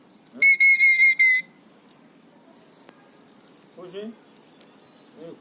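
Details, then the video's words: Happy pet Alexandrine parakeet, aged three, imitating whistles: a loud, steady, high whistle pulsed in four quick beats, followed by softer, lower, nasal chattering notes. "Alexandrine Parrot Talking | Happy/Excited Parrot | Parrot imitates Cough & Whistles & Screams"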